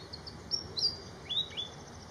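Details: Malaysian pied fantail in flight in Malaysia: a quick series of short, high, thin chirps and sharp tweets, some slightly rising, scattered over two seconds against a steady background hiss.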